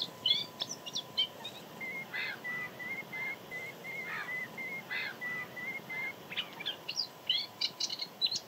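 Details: Moustached warbler, one of two singing males found in spring 2022 at the Jaroslavice fishponds bird area, recorded on 31 March evening or 1 April morning in rather unpleasant weather: a steady run of pure whistled notes framed by scratchy, buzzy chatter.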